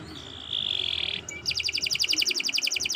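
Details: Lively canary song intended for tutoring young birds: a steady buzzy whistled tone, a brief high note, then a fast pulsing trill repeated many times.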